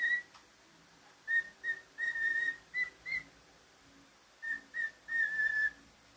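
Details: Whistling from a pet cockatiel: bursts of steady pure-toned notes, a cluster of short and drawn-out whistles, a pause of over a second, then another group ending in a long slightly falling note.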